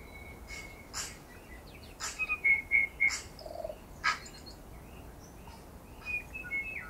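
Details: Tui feeding on banksia and flame tree flowers on Owairaka in winter; clear whistled notes held level, with sharp clicks between them and a short burst of quick chattering phrases in the middle.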